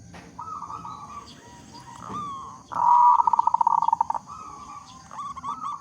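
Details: Local zebra dove with a big, frequently singing voice, used as a lure to prompt other zebra doves to sing; soft low coos lead into one loud, rapid rolling trill, then quieter cooing resumes.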